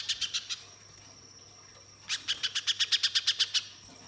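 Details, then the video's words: {'caption': 'Spiderhunter singing to spur other birds: a few quick high chips, over a second of near-quiet with a steady thin tone, then a loud run of rapid sharp notes.'} "Pijantung Pisang Gacor‼️Pancingan Pijantung Bahan Agar Langsung Bunyi Mbeset Nembak"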